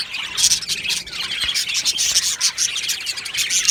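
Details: Australian budgerigar colony in an aviary on 22 June 2025, a thick, high chirping chorus with bright, thin whistled notes and rapid scratchy twitters throughout.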